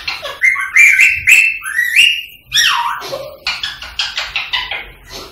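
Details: Rose-ringed parakeet, pet bird, calling to stimulate singing and mating: long wavering whistled screeches, a swooping drop, then a quick train of harsh chattering pulses about twice a second.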